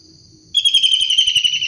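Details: Long-tailed shrike in the wild, in full voice: a sudden harsh, rapid rattling trill starting after a quiet pause and running steadily to the end, slightly falling in pitch.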